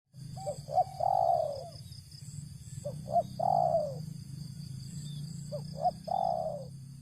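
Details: Spotted dove calling in a rice field while being lured, three phrases of two short notes then a long falling coo, repeated about every 2.5 seconds, over steady low rumble and faint insect hum.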